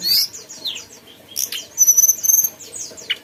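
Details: Mountain tailorbird giving a lively song: quick downslurred high chirps, then a sustained thin whistle with pulsed notes beneath, ending in a few sharp descending notes.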